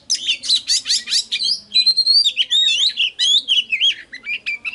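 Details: Singing oriental magpie-robin used for luring and triggering song: a quick burst of harsh buzzy notes followed by long, sweet, warbling whistles that rise and fall, clear and close.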